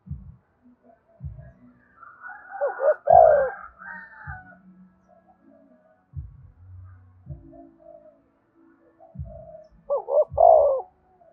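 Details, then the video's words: Spotted dove cooing to lure other doves, in the 'thúc bổi' and calling-coo style. Two short, low, hollow phrases sound about seven seconds apart, with dull low thuds and faint tonal background sounds between them. "cu gáy thúc bổi và gáy gọi cực đỉnh, tiếng chim cu gáy hay và nhạy bổi"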